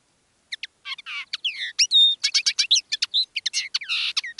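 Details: Live singing by a caged decoy common linnet: a brisk, unbroken medley of twitters, buzzy rasps and a brief clear whistle, notes tumbling several per second.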